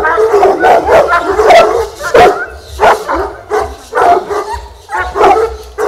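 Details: A 12-month-old Fila Brasileiro barks in deep, forceful bursts, guarding against a stranger during its first contact with a training decoy, showing courage and aptitude for guarding.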